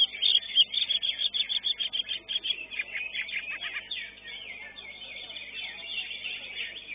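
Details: Greater green leafbird singing at a bird-singing contest, a fast run of high, varied chirps and slurred whistles with a few mimic-like notes, other contest birds audible behind.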